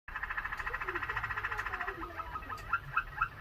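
A Waterslager canary sings a low, rapid rolling trill for about two seconds, then breaks into separate slurred, bubbling whistles. No other sounds stand out.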